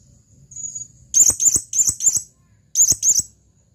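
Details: A male blue-crowned hanging parrot calls to a female: a brief high whistle, then loud, shrill, rapidly repeated chirps in a run of four and a pair of two.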